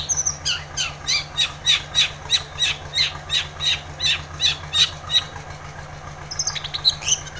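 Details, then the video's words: Long-tailed shrike, used as a lure to set off a silent shrike: a harsh, scratchy note repeated about three times a second for five seconds, then a brief squeaky flourish, over low hum. "Cendet Gacor ××× isian PANCINGAN CENDET MALAS BUNYI / AGAR burung pentet gacor SEKETIKA"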